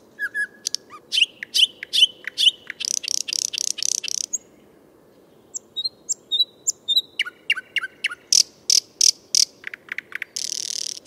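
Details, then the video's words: Thrush nightingale singing in Moscow, long rich phrases of rapid clicks, piping whistles and buzzy rattles separated by a short pause, ending in a hard churring burst. "Песня соловья в Москве"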